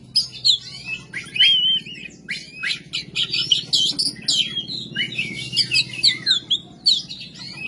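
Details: Kacer, the oriental magpie-robin, in full 'gacor' song of coarse 'ngebyak' material meant for training songbirds. It pours out a rapid, varied string of sharp whistles, slurred notes and buzzy chatter almost without pause. A faint low drone lies beneath.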